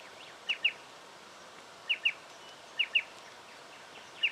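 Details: Striated pardalote recorded in Victoria, Australia, in October 2011, giving sharp, high double notes like chip-chip, each pair quickly repeated, roughly every second or so, over a faint steady background hiss.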